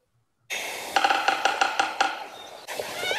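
Yellow-bellied Sapsucker giving about seven sharp knocks over one second in a stuttering, uneven rhythm. A faint tonal hum runs underneath.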